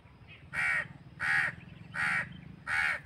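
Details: Four loud, hoarse caws from a crow, evenly spaced about two-thirds of a second apart, each harsh and nasal, with little else heard.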